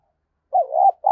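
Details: Decoy spotted dove calling to excite other doves: a soft hollow coo that dips, then swells into a longer steady mellow note, followed by the start of another coo, with no other sounds.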